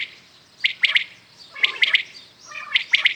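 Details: A common quail in the morning gives a crisp three-syllable call, quick, high and clipped, repeated three times at about one-second intervals against a quiet background.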